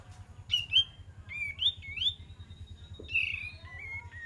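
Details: Olive-winged bulbul lure song: quick rising whistled notes leading into a long held whistle, then falling slurred notes, over a pulsing low mechanical hum.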